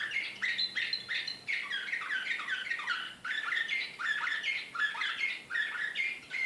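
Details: Serbian slavujar canary, Belgrade, 2014, singing excitedly. Rapid series of loud, swooping notes repeat in rolling phrases, dense and ringing throughout with barely any pause.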